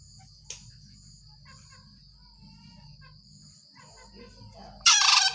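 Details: A wild green junglefowl gives one loud, harsh, hoarse, not clean crow near the end after several quiet seconds, over a steady high insect drone.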